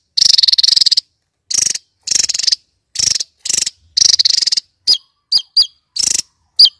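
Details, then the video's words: Long grating rattles from a kingfisher give way to clipped, sharp single notes, the calling close and loud against silence. "Burung raja tembak"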